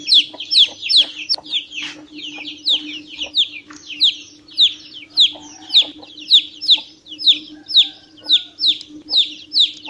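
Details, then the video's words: A chick piping shrilly, high descending peeps in irregular bursts with brief pauses, nearly two per second, set against a faint low steady hum. "PINTINHO PIANDO MUITO - SOM DE PINTINHO VERDADEIRO"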